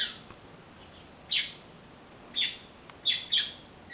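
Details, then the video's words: A blackbird visiting for persimmons and settling for passion fruit gives a few scattered raspy notes, including a close pair of harsh squawks, separated by quiet gaps of about a second. "Melro Cantando"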